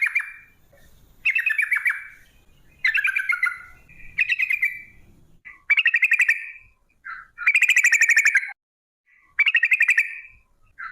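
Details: Sooty-headed bulbul in energetic 'gacor' long ropel song, played as a lure to prompt bulbuls to sing. Quick rattling bursts with buzzy, trilled notes follow one another closely, some phrases stretched into dense, harsh rolls.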